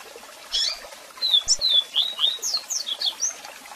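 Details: Double-collared seedeater with a strong song and calls, played for song training. Thin whistled notes slide up and down in a fast irregular run over the steady rush of a waterfall.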